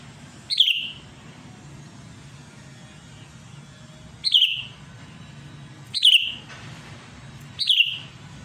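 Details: Sooty-headed bulbul used as a lure call to draw rivals and make them sing: four short, bright whistled phrases dipping in pitch, spaced irregularly one to three seconds apart, over a low background hum.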